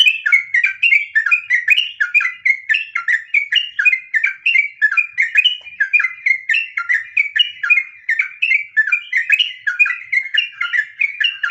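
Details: Yellow-vented bulbul in full 'ngropel' song, the long rapid style used to stir other birds into singing. Fast, continuous chattering whistles and bubbly warbles roll on without pause, each short note rising and falling.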